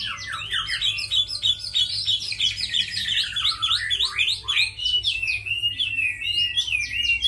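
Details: Captive Chinese hwamei, a fighting bird, singing: a dense, rapid run of loud whistled slurred notes and trills, rising and falling, varied phrases with hardly a pause, low background hum.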